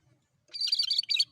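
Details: Sooty-headed bulbul (cucak kerinci) in active song for luring birds: a brief, dense phrase of rapid, bright, warbled notes lasting under a second, loud and clean.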